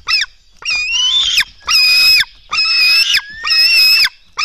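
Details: Black stork nestlings begging at the nest during an early-morning feeding in Latvia, 24 June 2016, at 04:53: loud, harsh, wheezy squeals with bright harmonics, each lasting about half a second and repeating roughly once a second.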